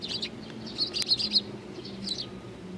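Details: Little Eurasian tree sparrows on 19 June 2019 give rapid, bright chirps in clustered bursts, one loud run in the middle and a softer group near the end, over a faint low drone.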